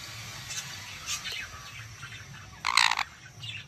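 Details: A Jenday conure gives a loud, harsh, rasping screech lasting under half a second after a few faint chirps, with a quiet indoor hum behind.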